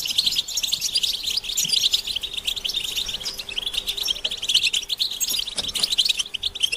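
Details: European goldfinches in collective batbata chatter, mating and readiness calls meant to trigger male singing: unbroken, busy, glittering twitter at high pitch with crisp clicks and chips scattered throughout, a faint steady tone below.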